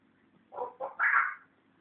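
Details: Indoors, a pet African grey parrot that is learning to talk produces two husky, voice-like syllables, then a louder, rising, whistle-toned sound. The owner talks to the bird before and after.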